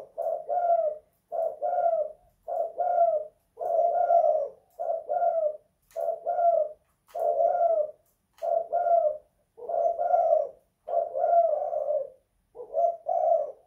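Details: Spotted dove in a house repeating its kuk 2 / guk 1 song. Eleven short, husky coo bursts come at nearly even intervals of about a second, all in a low mellow register, with nothing else audible.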